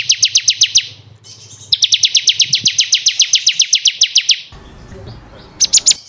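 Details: Bar-winged prinia, ciblek kristal, for caged-bird training: a steady run of quick sharp high notes repeated about four times per second, briefly pausing, then a short burst of chirps.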